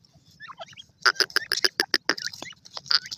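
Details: Grey francolin, called Canadian grey teetar, uttering a rapid burst of loud, ringing, clipped notes, some with a whistled tone, amid softer chirps and a low hum.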